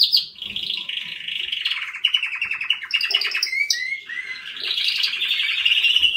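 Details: Canary singing a long continuous song of rapid trills and rolling phrases, shifting between high and mid pitches, with a brief lower buzzy note midway.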